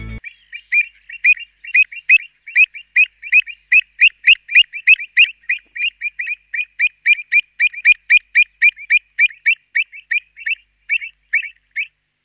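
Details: Pied Avocet in Sri Lanka giving a steady run of clear, ringing 'kluit' notes, about three or four per second, high-pitched and slightly varied in loudness.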